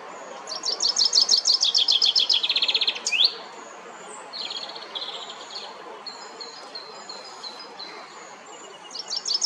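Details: Chaffinch song recorded at La Perle du Lac in Geneva, Switzerland. A fast series of repeated high notes slides downward and ends in a sharp flourish. Softer chirps from other birds fill the pause, and a new trill begins at the close.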